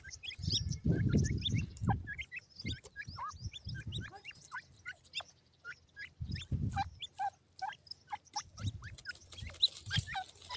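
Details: White-coloured grey francolin chicks playing with feed; dense rising and falling peeps come several per second while heavy low thuds and knocking from the feeding recur in bursts.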